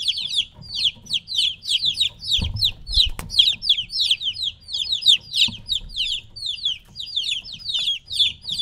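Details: Young chickens about three weeks old, kept from their mother, give rapid repeated high peeps, each a sharp downward chirp, with a few clicks and knocks in the background.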